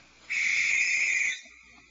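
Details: Adult barn owl screeching near its nest cavity as an observer approaches, one of two adults calling at night: a single harsh, hissing scream lasting about one second, steady and noisy, with little else behind it.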